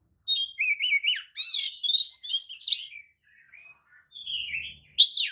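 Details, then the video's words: Oriental magpie-robin (kacer) lure song, kicau pancingan, meant to make other magpie-robins answer, fan their tails and get agitated; varied whistled phrases with rising and falling slurs and buzzy bursts, a pause, then a final loud burst. "kacer manapun jelas nyaut oleh kicau pancingan kacer buka ekor! kacer dijamin emosi"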